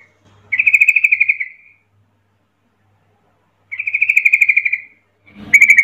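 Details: Agitated yellow-vented bulbul singing to challenge an opponent, delivering two long runs of fast, slightly falling chirps, each about a second, separated by silence, with a third burst starting at the end.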